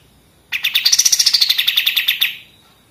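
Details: Pied triller in a vigorous 'machine gun' style song, kept as a tutor recording for training other songbirds: one rapid, sharp trill of about eighteen evenly spaced notes lasting under two seconds, starting high and easing slightly downward, over a quiet background.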